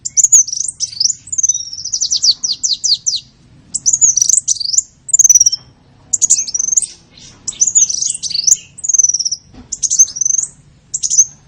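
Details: Lure sound for attracting small birds: rapid series of high sweeping chirps, then short whistled phrases and twittering bursts repeated with brief pauses, all very high-pitched.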